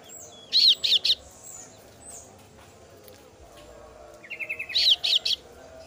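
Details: Kasu-kasu bird chick, a female, calls to its parent with two clusters of sharp, high chirps; a quieter buzzy trill leads into the second cluster.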